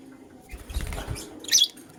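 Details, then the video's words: Morning sounds of a lutino lovebird: soft low fluttering and rustling, then a brief shrill high-pitched chirp near the end, heard against a quiet indoor background hum. "Lutino LoveBird Chirping Sounds"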